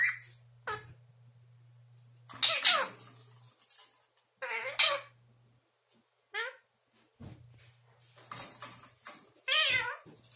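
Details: An 11-month-old Indian ringneck parakeet that has just started talking repeats the Russian word "птичка" ("birdie"). It is a short, shrill, chattering word given in about six bursts, one or two seconds apart, over a faint low hum.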